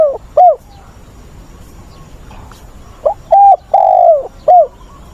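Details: Decoy spotted dove in captivity, calling in the frustrated wild-caught style (giọng bổi ức chế) meant to help train new birds, 20/8; one coo phrase ends, a pause, then a full four-note phrase with a long downslurred third note.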